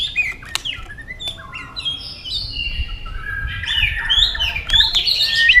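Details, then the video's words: White-rumped shama in competitive fighting song, tail-flicking as it sings: a varied run of clear whistles and slurred notes, some rising, some falling, growing louder and denser toward the end, over a low background rumble. "kích chòe lửa hót đấu ức chế"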